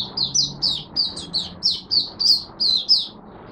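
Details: Singapore cage-bird Oriental white-eye in buka sing style, warm humid rainy weather, 23 March 2023: a steady string of about a dozen sharp, high chirps, each sliding down in pitch, delivered roughly three per second.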